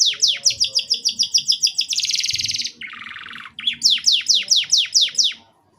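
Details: Canary song played to stimulate young canaries to sing sooner: a rapid run of ringing downswept whistles, a high buzzy roll, a lower rasping roll, then more quick falling whistles, over light background hum.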